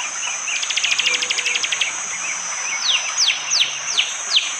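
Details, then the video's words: In East Java's Wonocoyo Village forest one morning, a bar-winged prinia delivers a fast run of rapid ticking notes, then a series of quick, descending high sweeps spaced under half a second apart. Rain and a steady high hiss sound behind. "Tembakan burung prenjak jali!!"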